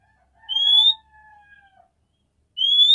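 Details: Female oriental magpie-robin calling to rouse a male's mating urge: a bright rising whistle with a lower, drawn-out whistled note trailing behind it, and a second upslurred whistle at the end.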